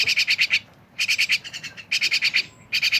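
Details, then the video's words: Loud, close myna chatter: strings of five or six quick, nasal, buzzy pulses, repeated in bursts with short gaps. "rame bersama burung jalak"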